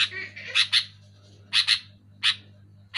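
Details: Sooty-headed bulbul sounding loud and clear, meant to prompt caged bulbuls to sing: a burst of scratchy notes, then sharp paired chatters and single harsh chips, with a constant low electrical hum behind.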